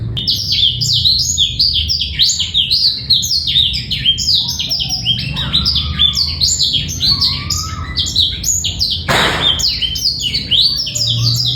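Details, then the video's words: Male black-throated canary voice, played to bring females into breeding condition and teach young birds: sustained rapid twittering, high chirps layered densely, a few lower warbled notes and one short knock partway through. "PANCINGAN DAN MASTERAN BURUNG BLACKTHROAT"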